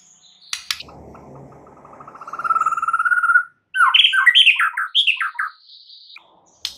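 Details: {'text': 'White-rumped shama lure song with full fill-in phrases for prompting other birds to sing; a long accelerating rattling trill rising in pitch, then a burst of sharp varied whistled notes.'}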